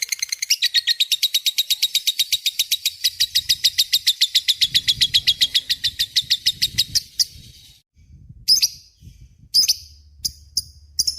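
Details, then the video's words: A lovebird singing the long ngekek, a recording made to teach magpie-robins and shamas. It gives a steady high rattling trill for about seven seconds, then a pause and a few separate sharp chirps, over quiet low background noise. "SUARA BURUNG LOVEBRID GACOR NGEKEK PANJANG"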